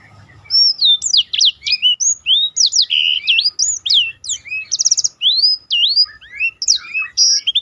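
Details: Black-throated canary delivering a continuous roll song for training contest birds: rapid, varied whistled slurs and sharp upsweeps, with brief buzzy trills, pouring out nonstop and loud against a quiet background.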